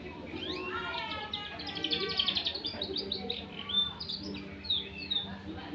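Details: Young canary, two months old and learning to sing, runs through a rambling, jumbled warble of buzzy trills and short high twitters in uneven bursts.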